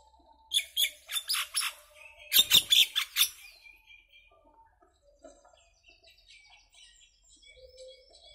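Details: Common myna, an Indian myna singing: a loud burst of harsh, rasping chattering notes in quick succession over about three seconds, followed by faint soft whistles and quiet chirps.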